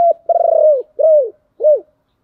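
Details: Spotted dove cooing, played as a lure so that wild doves coo back: a long, slightly pulsed low coo followed by two shorter, arched coos, all clean against silence.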